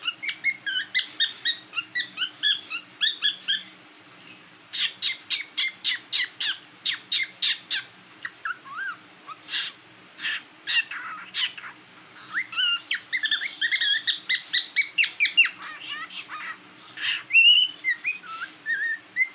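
A cockatiel sings a lively medley of bright whistles and rapid, repeated chattering notes.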